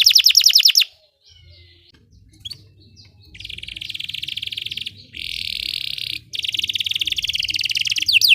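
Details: Belgian canary song for training other canaries, opening with a few fast falling trill notes, then quieter stretches and long buzzy rattling trills broken by short gaps.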